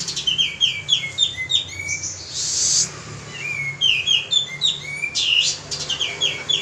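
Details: Male pied triller singing briskly to lure other birds: quick chains of downslurred whistles with a harsh rasping burst and brief pauses between phrases.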